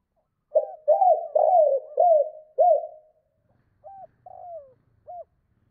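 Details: Spotted dove calling to hens: a fast series of five mellow repeated coos, then after a short gap a three-note phrase ending in a long falling coo and a clipped final note.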